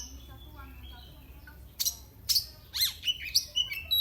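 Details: Oriental magpie-robin singing to provoke rivals: after a quiet start, a burst of sharp whistled notes, short trills and upslurs arrives in the second half, with faint background hum.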